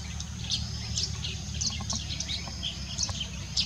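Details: Yellow-throated sparrow giving short, high, thin chirps, scattered unevenly and repeated several times a second, with softer lower notes between, against a low background rumble.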